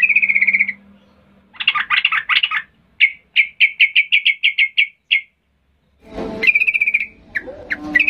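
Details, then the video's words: Sooty-headed bulbul in full agitated song meant to goad quiet birds into answering; a trilled note, a chattering burst, then a fast series of about ten clipped whistled notes, followed by a noisy scratchy phrase. "Macam macam Trucukan gacor ngamuk memancing trucuk diam Bisa bisa Nyaut Emosi tinggi"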